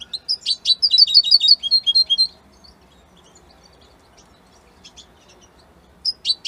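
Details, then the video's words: Italian European goldfinch delivers a two-second string of repeated, high, clipped chirps and twitters, then pauses before starting again with sharp rising notes. "من أقوى تغاريد طائر الحسون الجميلة الحسون ايطاليا"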